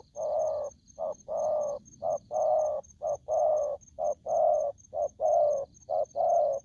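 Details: Aggressive spotted dove delivers a rapid series of husky low coos, alternating brief and longer notes, with about eight pairs in under seven seconds. A faint high ticking and a soft background hiss accompany it.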